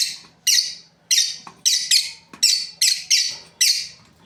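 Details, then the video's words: A breeding pair of lovebirds chirping steadily: loud, raspy high notes every half second or so, occasionally doubled, over a low hum. "Beautiful lovebirds chirping sounds | Amazing breeding pair"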